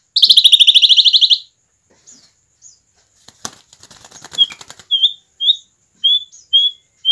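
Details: Asian pied starling singing steadily, song intended as a lure to get other starlings singing: opens with a loud harsh rattling burst, then quiet rustles and a series of short clear whistled notes spaced about half a second apart.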